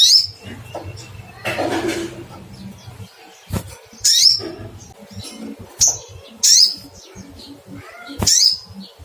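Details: Sogok ontong, the little spiderhunter, calling out for a rival: five or six piercing high, sharply rising 'cuitt' chirps spaced one to two seconds apart over soft rustles and low knocking.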